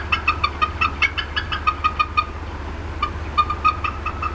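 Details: Upset bald eagle mother clucking at the Decorah North nest, April 2016, afternoon, likely disturbed by something nearby; rapid series of short harmonic chirps, about six per second, a pause, then another burst, with constant low background hum.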